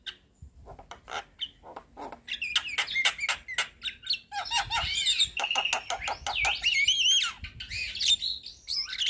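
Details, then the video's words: Javan myna (jalak kebo), white-eyed bird bobbing its head, chattering as a lure to stir a silent myna: rapid harsh clicks building into dense, varied whistled warbles and rising squeaky notes, almost continuous. "Pancingan Jalak kebo Macet Bunyi / Jalak Kebo Stres Dengan Ocehan Jalak Kebo Mata Putih Manggut2"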